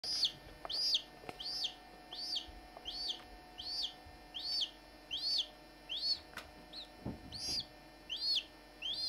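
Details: Barnevelder chicks hatching, one chick eager to get out of its shell: loud, high peeps with a bent, slurred shape, given in a steady series about once every second or less, with a few faint knocks in the background.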